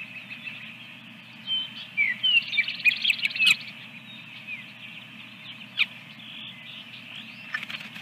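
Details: Osprey nest with eggs at Dunrovin Ranch on the morning of 24 April 2022: a burst of quick, piercing chirps around the middle, with scattered sharp clicks and soft peeps over low continuous hum.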